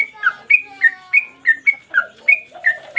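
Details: Lively yellow-vented bulbul singing one repeated phrase for training cage birds: clear whistled notes alternating high and slightly lower, about three per second, with faint low tones between.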